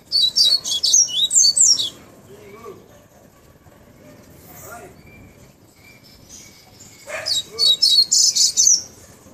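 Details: Tawny-bellied seedeater giving two bursts of fast, high whistled notes, each burst of around eight notes, separated by a quiet gap with faint background sounds.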